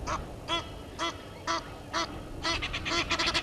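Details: Egyptian geese squabbling with intruder geese at the Gowrie dam waterhole, Sabi Sand Wildtuin, South Africa, 17:08 on 10/04/21. Spaced, honking calls about every half second quicken at the end into a rapid, overlapping chatter.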